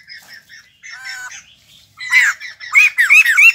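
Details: Harsh squawks and rising, bouncing notes from a newly acquired cage white-crested laughingthrush, soft at first then suddenly loud and rapid.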